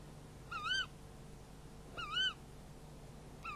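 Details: Tawny owls at a nest camera at 23:44 on 11 February 2016, during a prey handover: clear, wavering, mid-pitched calls, each under half a second, about every one and a half seconds over a quiet hum.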